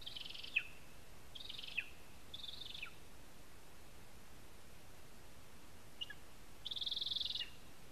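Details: At a spruce-tree nest in Zemgale, Latvia, a lesser spotted eagle seen on a live nest camera gives a few short, faint, buzzy high notes with abrupt falling ends, then a longer, louder buzzy note near the end.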